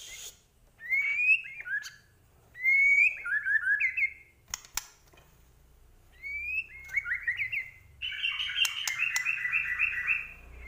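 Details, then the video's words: White-rumped shama from Medan singing rich, varied song: whistled rising and falling phrases in separate bursts, a sharp click near the middle, then a rapid warbled run, with faint low background hum. "Murai Batu Medan Gacor Full Isian"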